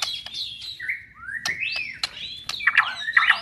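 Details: White-rumped shama of the blorok variety sings a loud, varied phrase of clear whistled notes that swoop and rise, with sharp clicks and fast trilled ends, in a quiet setting.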